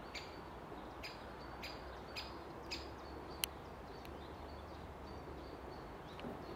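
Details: Great spotted woodpecker (Dendrocopos major) at Orlov Vrh, Ljubljana, 11 April 2023, giving sharp, clipped kik notes about every half second, six in all, over a steady low rumble of background noise.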